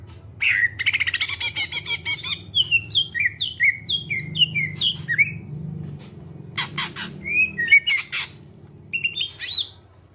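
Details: Greater green leafbird singing clearly to prompt other birds to sing: a rapid series of sharp downslurred whistles after a buzzy rattle, then scratchy chatter and a few squeaky notes, over a steady low hum.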